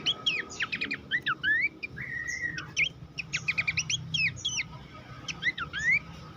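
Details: Abbott's babbler song recorded as a training master for competition songbirds: quick bursts of sharp whistled notes and rising slurred phrases, separated by short pauses, over faint low background hum.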